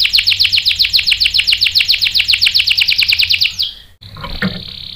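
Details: Canary singing on a lure recording meant to stir a male into 'gacor' rolling song: a steady, fast trill of bright high notes for over three seconds, ending abruptly, followed by brief low noise.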